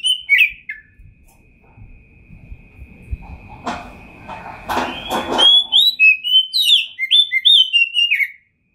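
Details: Kacer (Oriental magpie-robin) in rich champion song, 2021. Opening whistles and a long thin steady tone give way to rustling and clattering noise, then a fast sequence of high, sliding whistled notes.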